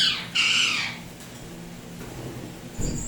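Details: Rose-ringed parakeet, a pet turquoise blue Indian ringneck, giving two harsh, grating squawks with a short gap, followed by a faint whistle and low background rumble.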